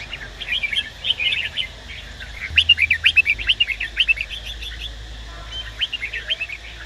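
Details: Red-whiskered bulbul male singing, stimulated by a female: rapid bursts of bright, chattering whistled notes, sparse at first then a dense run of sharp rising and falling syllables through the middle, with low steady background hum.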